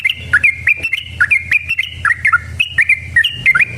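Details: Lure song of a sooty-headed bulbul, meant to prompt other bulbuls to sing: a steady string of short, liquid, bubbling phrases with quick up-and-down inflections, repeated almost without pause.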